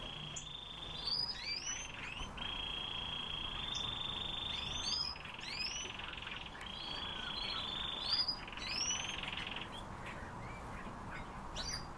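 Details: Siberian rubythroat song: short, high, sweeping whistled notes scattered across the phrase, heard over a steady, droning tone and a constant background hiss.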